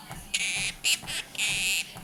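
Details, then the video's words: Pet Quaker parrot on a treadmill singing Happy Birthday along with its owner; three loud, grating, drawn-out syllables, the first and last long, the middle short, with soft treadmill footfalls beneath. "Quaker Parrot Talking, Singing Happy Birthday and Beebopping"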